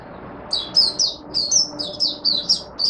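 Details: Oriental white-eye recorded in Singapore on 23 March 2023 in humid, warm, rainy, overcast conditions, buka sing: a continuous chatter of high, sweet, downslurred notes, about ten in under three seconds.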